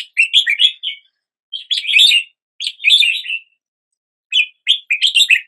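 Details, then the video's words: Red-whiskered bulbul greeting the new day with song: short tumbling warbled phrases of several quick notes each, separated by pauses of about half a second to a second. "Red whiskered Bulbul Song"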